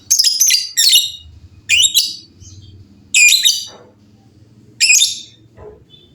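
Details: Shrill lovebird calls from a noisy group of birds answering one another. Loud harsh bursts, some doubled, come every second or two, with quieter low notes and background hum between them.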